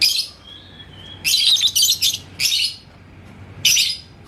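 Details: Yellow lovebird, called labet koneng, provoked by a rival in Indonesia. Scratchy, high chirp clusters alternate with short pauses, with a faint thin whistle between the bursts.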